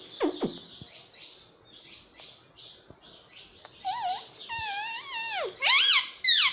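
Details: A rose-ringed parakeet kept as a talking pet indoors, known for 'mummy papa': repeated faint high chirps give way to wavering, harmonic speech-like phrases that end in loud upswept squawks.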